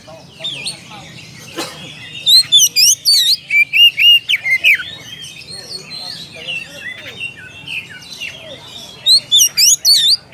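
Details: An Oriental magpie-robin calls a rival: soft jumbled notes open, then a loud run of sweet falling and rising whistles, a softer warbling stretch, and a final burst of sharp notes.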